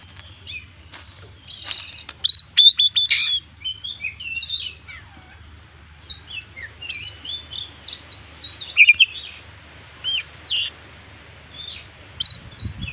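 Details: Owned Oriental magpie-robin singing 'gacor full isian', a lively song packed with varied phrases: long sequence of bright chirps, upslurred and downslurred whistles and twittering bursts, delivered in irregular clusters over quiet hum.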